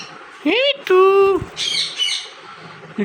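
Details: Pet parrot answering a person repeatedly calling to it: a rising squawk-like vocalisation followed by a long, flat, harmonic-rich voiced sound, then softer raspy chatter, with human voice around it.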